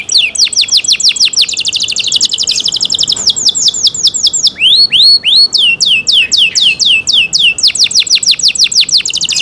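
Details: Canary singing a long, clear cenkok-style song: rapid trains of high descending sweeps and trills, repeated several times a second, with a run of lower rising whistles midway before the fast trills return.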